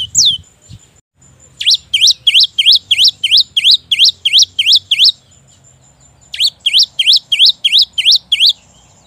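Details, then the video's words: Cinereous tit singing bright, high two-part notes, about three per second, in two bursts of several seconds each with a short pause between. "Pancingan Gelatik Bahan || Seketika Langsung Nyaut cocok untuk pancingan Gelatik malas Bunyi"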